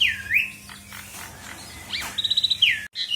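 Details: Asian pied starling in full, varied song used to lure less vocal birds into singing: a clear whistled swoop near the start, then a quick run of short repeated notes and a falling whistle, with a faint steady hum behind.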